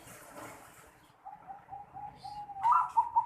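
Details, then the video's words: Zebra dove with an unusual voice, recorded 11 December 2020; after a quiet start, soft short coos grow louder and end in a brighter, warbling burst of notes. "Perkutut Suara Aneh Noklak Super Mantap"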